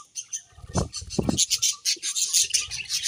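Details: Budgerigars chirping: dense, scratchy high chatter and warbling in rapid bursts, with low thumps and knocks in the background.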